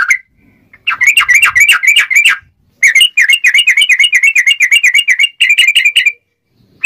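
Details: Sooty-headed bulbul song played to tutor birds and attract wild bulbuls for trapping, sharp and clear: long rapid rolls of repeated V-shaped whistled notes, about four per second, broken by one brief pause.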